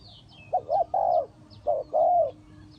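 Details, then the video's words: Cooing spotted dove used as trapping decoy in Ninh Thuận, giving two phrases of a short double note followed by a long, warm, gently falling coo, over a faint hum and thin high chirps. "The Sound Of the dove"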